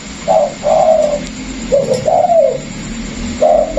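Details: Spotted doves kept caged in Vietnam, one previously used as a decoy caller and one freshly caught from the wild; several low mellow coos in quick groups, with a low hum underneath.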